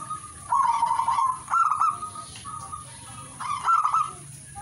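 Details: Zebra dove giving rolling, staccato coos in loud one-second bursts, linked by softer even cooing tones, with a persistent high-pitched hiss behind.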